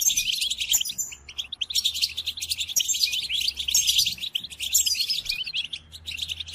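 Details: European goldfinch singing, a recording meant for training caged goldfinches: continuous sparkling, chattering twitter with buzzy notes and quick trills, steady and high throughout, a faint low hum underneath.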